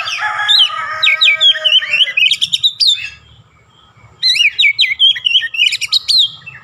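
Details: {'text': 'Oriental magpie-robin singing, its repertoire filled with Javan myna calls: long rapid strings of chattering, trilled whistles and sharp chips, two phrases separated by a short silence.'}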